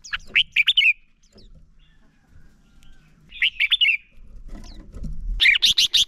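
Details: Male red-whiskered bulbul, used as a lure bird to set others singing, delivers three bursts of rapid warbled whistles separated by quieter rustling and low thumps.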